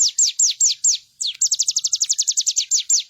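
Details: Bar-winged prinia song serving as a master for training birds: several slower, drawn-out high notes sliding downward, then a rapid run of short, falling notes about seven per second.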